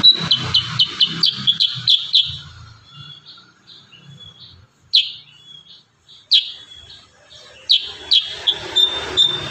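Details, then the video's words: Kurincang in dense 'tembakan rapat' style, a fast burst of sharp high chirps, then a few spaced, loud, downward-sliding shot notes with thin whistles between, ending in another quick chirping run. "Masteran burung kurincang tembakan rapat"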